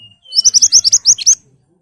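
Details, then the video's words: A singing ashy tailorbird, played to draw answering birds: a thin whistle opens a fast, sharp string of about ten high chipping notes, ending with a slightly lower, upturned note. "Burung Mantenan Gacor Nembak Tajam Cocok buat Pancingan agar cepat Nyaut"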